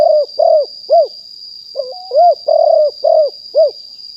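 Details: A wild spotted dove recorded live in 2021 as a decoy caller gives quick mellow coos, pauses, then a rising introductory note and another run of four coos, over a steady high electronic tone.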